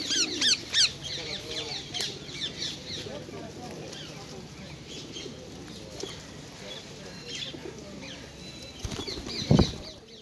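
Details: Wild ringneck parakeets feeding at a popular feeding spot in Hyde Park, some perched on a person's head and arms; loud harsh, high rasping squawks burst out in the first second, then fainter chatter over low pigeon-like cooing, voices and rustling.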